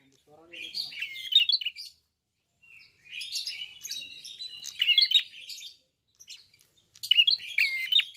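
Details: Actively singing red-fronted prinia (klawu) gives three long, scratchy phrases of mixed buzzes, chirps and short downslurred whistles, separated by pauses of about a second.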